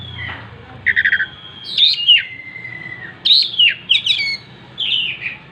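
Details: Oriental magpie-robin singing with its tail spread: a quick run of four short notes, then long level whistles, slurred downward phrases and sharp high flourishes repeated in separate bursts.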